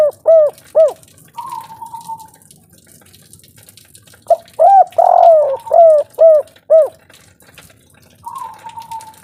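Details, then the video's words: Spotted dove, a local bird, singing in the kuk 3 style: paired arched coos, a long level note, then a quick burst of loud, throaty coos about twice a second, with another level note at the end. "derkuku kuk3 lokal gacor ngamuk suara besar"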